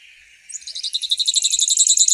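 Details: A grassland yellow finch begins a song with a rising note, then a fast run of sharp, high, repeated buzzy notes growing louder.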